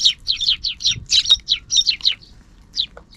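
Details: Sparrows noisy in the afternoon off-camera: a lively run of about twelve quick, sharp, slightly downslurred chirps in close succession, then a pause and a couple of isolated notes; quiet background.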